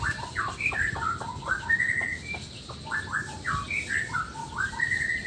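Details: Male black-tailed white-rumped shama from Nias, its song meant to provoke rival males into singing. Continuous mid-pitched whistled phrases with rising and falling slurs and short chirps, over light background noise.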